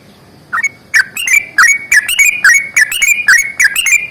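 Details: Sooty-headed bulbul, fighting song with long rapid phrasing. After a short opening note, bright whistled notes follow quickly, each one bending downward, in a chattering string.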